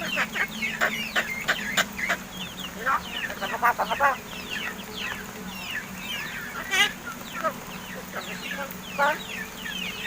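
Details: Captive Martinez birds (crested mynas), about seven months old and raised by their keeper, now learning to talk; dense bursts of sharp chirps and falling whistled notes from more than one bird, with a steady low hum beneath.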